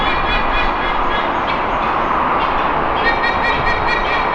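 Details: Resident white-bellied sea eagle pair in Singapore give loud, goose-like honk warnings that run together, harsh and ringing, to drive off a circling young near-adult intruder from their territory; steady background rush.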